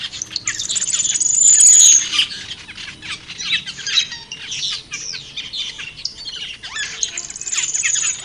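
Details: Harsh squawks and chattering notes from wild black-winged starlings, loose and irregular, several birds overlapping, with a shrill high buzz early and quieter chatter afterward.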